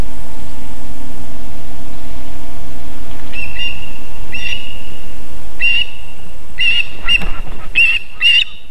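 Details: Osprey pair at a nest in Võrumaa, South Estonia, near a fish farm and river, 24 July 2021 at 18:16, landing on the nest: a run of short, high whistled chirps in rapid series, rustling and flapping toward the end, over steady low wind rumble. Osprey.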